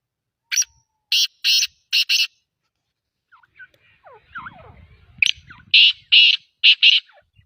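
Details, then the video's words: Black francolin calling: harsh, grating, buzzy notes in two groups of four, with faint scattered chirps between the groups. "Black partridge Sound | Black Teetar sound | kaly teetar ki awaz"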